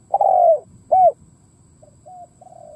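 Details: Spotted dove kept as a decoy, cooing to lure wild doves; a loud long falling coo and a rounded arched coo, followed by fainter, softer coos.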